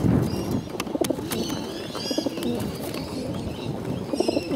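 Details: Hungry bottle-fed pigeons begging, low wavering squeaky notes repeated in short bursts over clicks and handling noise, with a few higher faint chirps.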